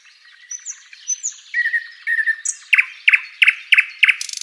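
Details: Tutor recording of flycatcher song: soft high whistled slides and twittering open the phrase, then loud sharp chip notes repeat about every third of a second, ending in a quick buzzy trill.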